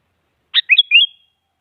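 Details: Sooty-headed bulbul singing to goad a rival into singing: one short phrase, buzzy first note followed by three fluty slurred whistles climbing slightly, fading quickly, no other sounds.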